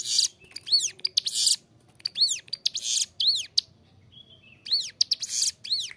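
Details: Bar-winged prinia song used as a training tutor: bursts of curved whistled notes mixed with loud harsh buzzes, broken by short pauses, with a thin level whistle between phrases.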